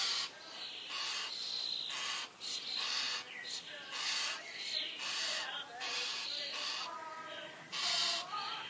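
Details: Common starling chicks being fed by a parent in a garden in the Eifel, giving bursts of harsh, hissing, wheezy begging calls roughly every second, with some rattling and squeaky notes between.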